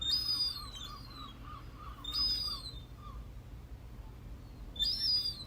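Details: A young herring gull, a fledgling that has just tried its wings, gives thin, high squealing whistles in three bursts about two seconds apart as it approaches across a garden deck at Peel, Isle of Man, perhaps at feeding time. Softer, lower, evenly repeated notes run beneath.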